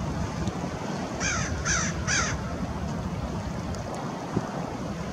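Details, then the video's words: American oystercatchers at Fort Monroe, Virginia, March 15, 2019: three loud, piercing whistled calls about half a second apart, surrounded by steady roaring surf and wind. "American Oystercatchers at Fort Monroe, VA"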